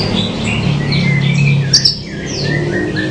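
A bush lark sings a quick, varied run of high twittering chirps and short slurred notes, over a steady low hum.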